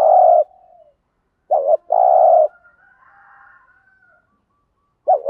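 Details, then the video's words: Spotted dove coos meant to rouse decoy doves into calling; low hollow phrases of a clipped note then a drawn-out coo, repeating every few seconds, with faint twittering in the gaps. "tiếng chim cu gáy kích bổi hiệu quả mỗi ngày. bổi nghe gáy theo"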